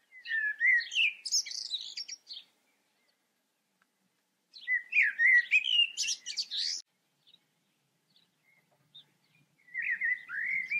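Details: Two full blackbird song phrases separated by a silent gap, each beginning with low mellow whistles and climbing into rapid, high twittering, with a third phrase starting at the end.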